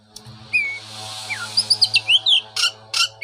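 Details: Oriental magpie-robin song played to coax a bird back into singing after its moult; short sweet whistled slurs and rising notes at 4-6k, a quick burst of chirps mid-clip, with a low steady hum underneath.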